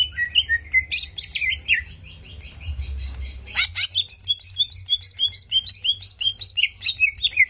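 Greater green leafbird: varied bright whistles and chirps, a short pause, then a fast run of sharp notes, about four per second.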